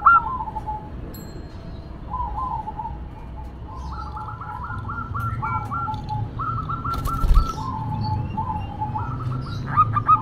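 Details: Local female zebra dove cooing amid background noise: soft introductory notes followed by quick runs of clipped repeated coos, with a brief rustle or knock midway and louder call fragments at the end.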